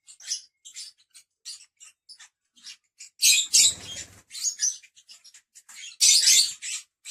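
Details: Lovebirds give shrill, high chirps in quick, uneven runs. Two louder, harsh squawking bursts come near the middle and near the end.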